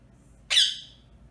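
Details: A pet rose-ringed parakeet kept indoors gives one harsh, loud squawk. It starts abruptly and fades over about half a second. The room is otherwise quiet, with a faint low hum.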